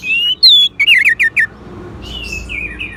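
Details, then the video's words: Orange-headed thrush song, used as therapy playback to get a silent caged thrush singing again: loud whistled high notes, then a quick run of five short sharp descending notes, then a softer wavering whistle. "Terap1 Suara ANIS MERAH Macet Bunyi Agar Mau Kenceng Dengar Kicauan Ini"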